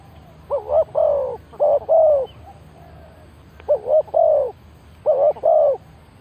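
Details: Spotted dove calling as a decoy to draw in wild birds. Four mellow cooing phrases of two or three notes each are evenly spaced about one to one and a half seconds apart. The background is calm.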